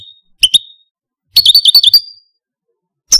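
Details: Caged male Algerian Parva goldfinch gives a few sparse notes: a thin whistle, a short doubled chip, then a brief rapid trill ending in a drawn-out whistle, with silence between.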